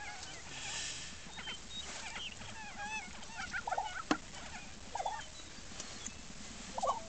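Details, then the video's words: Lesser prairie-chickens at a lek in Oklahoma, where males display by dancing, inflating pouches and fighting, and females choose and mate: overlapping bubbling, gobbling notes and sharp cackles every second or so above a low rumble. "Lesser Prairie Chicken Lekking and Mating"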